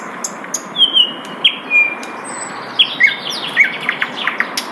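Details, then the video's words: Wild Asian brown flycatcher song of sharp, high, thin whistles, some held briefly level and others sliding downward, in scattered bursts with short pauses between them and a faint hiss behind. "SUARA MERDU SIKATAN LONDO DI ALAM LIAR"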